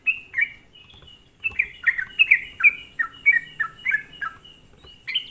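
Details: Sooty-headed bulbul calling in a lure recording meant to stir other bulbuls, with a few opening notes, a pause, then a rapid regular string of bright downslurred whistles.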